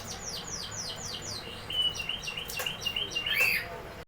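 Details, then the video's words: Canary singing: a rapid series of repeated downward-sweeping whistled notes, then a bright rolling trill with sharp chips and rattles near the end. "canary singing"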